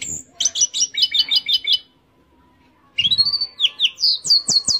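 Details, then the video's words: Orange-headed thrush, teler singing. A burst of quick stuttering high notes comes first, then a two-second pause. After that a rising whistle is followed by fast, sharply repeated chirps and high slurred notes. "Anis Merah Teler"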